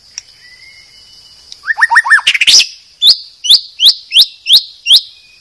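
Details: White-rumped shama from Medan, Indonesia, used as a master recording for training cage birds. Faint scattered notes lead into a quick run of falling chirps, then six sharp upslurred notes about every half second over a steady high whine.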